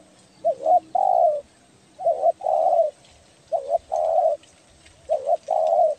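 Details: Luring call of a spotted dove: four clear repeated phrases, each a quick double coo followed by a longer drawn-out coo, spaced roughly every 1.5 seconds against a quiet background.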